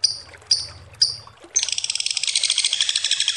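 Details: Lovebird calling a lure ngekek: three spaced, thin high chirps, then a sudden dense, buzzy trill of quick pulses that carries on to the end.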